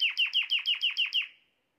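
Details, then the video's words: Canary song phrase, said to prompt a female canary to adopt the mating posture: eight quick identical downward-sliding chirps, about six per second, fading at the end. "تغريد كناري يجعل أنثى الكناري تاخد وضعية التلقيح بسرعة"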